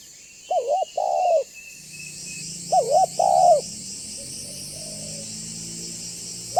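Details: Spotted dove in lively banggo style, used as a lure to make other doves call and approach: two phrases of low, hollow, rounded coos. A steady high insect-like buzz runs in the background.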